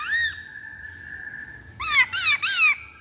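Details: Black-throated laughingthrush used as a lure: a short arched note and a steady tone, followed by three harsh, squawky down-slurred notes.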